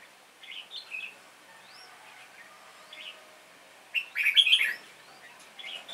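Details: Red-whiskered bulbul singing duel, two birds facing an older decoy bird; brief whistled chirps and upward-sweeping notes, then a loud burst of bright, jumbled warbling before a final short phrase.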